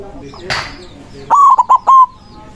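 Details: After a brief rustling burst, a white zebra dove sings a loud phrase to lure rival doves: a held coo, two quick clipped notes and a drawn-out final tone.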